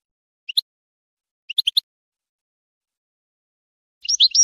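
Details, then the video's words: European goldfinch singing, as song training for breeding, gives bright, high chirps in twos and threes, then breaks into a quick tinkling twitter against a silent background. "goldfinch singing"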